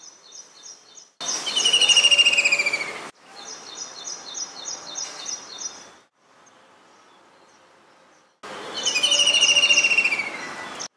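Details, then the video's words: White-throated kingfisher calling: two loud, shrill, descending whinnying trills several seconds apart, with another bird's high, rapid twittering filling the gaps. "Call of white throated Kingfisher"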